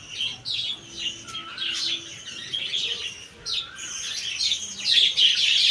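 Budgerigars chatter in a busy stream of high, scratchy warbles and chirps.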